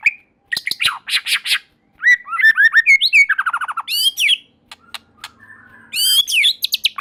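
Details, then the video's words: Vigorous white-rumped shama song, said to get other shamas singing: a fast mix of sharp clicks, rapid rising whistled trills, a descending rattling series and high bright notes, almost continuous. "Murai Batu Gacor Super Mantul Murai Lain Otomatis Ikut Bunyi"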